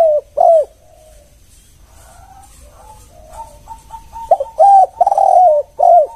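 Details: Spotted dove (tekukur) giving short, hollow coos, some soft and some loud, in an uneven run of about a dozen notes over six seconds; a lure call for other doves.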